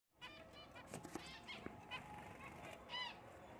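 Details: Black cheek jumbo zebra finch: short nasal, honking notes with stacked overtones, given singly and in small bursts, with faint rustling and background chatter of other finches.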